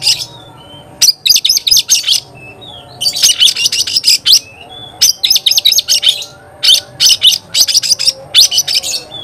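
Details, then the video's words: Oriental magpie-robin in vigorous song, answering another magpie-robin: repeated bursts of rapid, harsh, rattling chatter a second or so long, separated by short thin whistles. "Kacer gacor bikin kacer ngobra KONSLET"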